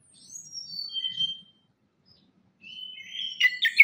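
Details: Orange-headed thrush lure song meant to coax quiet birds into singing: soft descending whistled notes, a pause, then richer, rising warbled phrases that grow louder toward the end.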